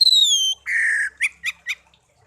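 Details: Tame caged songbird raised from young, kept one year, gives a falling high whistle, then a buzzy sustained note and three short sharp chirps spaced evenly.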